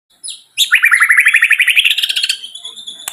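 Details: White-rumped shama singing: a short high whistle, then a fast run of rhythmic chirping notes climbing steadily in pitch for about two seconds, ending with a thin high tone and a click.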